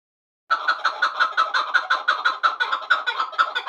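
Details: Chukar partridge from Vanj, one of two birds: after a short silence, a fast run of harsh, clucking chuk notes begins, about three per second, each a hoarse rasp, steady and unbroken to the end.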